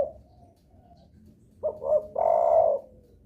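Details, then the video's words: Lure call of a spotted dove, used to draw replies from other doves; after a faint low coo, a quick double coo leads into one long, steady, low hooting note. "suara pancingan DERKUKU paling di sukai derkuku lain..sekali dengar langsung respon gacor"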